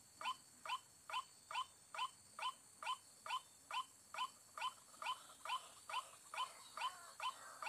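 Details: White-breasted Waterhen, recorded during bird luring, gives a harsh, croaking note repeated steadily about twice a second, with a faint insect-like hiss in the background.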